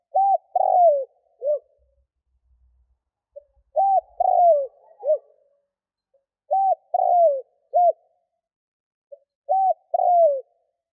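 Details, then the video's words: Spotted dove cooing to draw in wild doves. Four steady three-part phrases roughly three seconds apart: a clipped flat coo, a longer falling croo, then a short rounded coo, each with a faint soft lead-in note. "Chim cu gáy kích bổi nhanh nổi"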